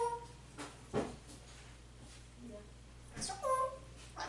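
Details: African grey parrot talking in Spanish, calling its owner and asking for turkey and chicken; quiet scattered speech-like syllables, then a clear pair of tonal whistled notes near the end, with a low steady hum beneath.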